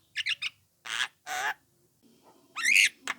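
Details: A young Javan myna, used as a lure so other mynas respond, gives three quick chattering notes, two long grating squawks, and a rising whistled squeal.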